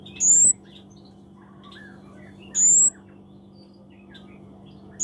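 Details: Scarlet-backed flowerpecker (kemade, cabe cabean) in lively song: sharp, very high, thin notes sliding upward, repeated every two and a half seconds, with faint chirps of other birds and a low steady hum behind.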